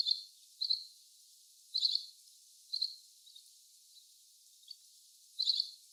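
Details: Little green bee-eater calling: short, high, buzzy trilled bursts repeated roughly every second, some spaced wider, over a faint hiss of background noise.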